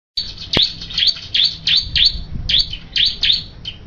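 A Bar-winged Prinia gives a fast run of high, sharp, down-slurred chirps, about three each second, over a faint low hum.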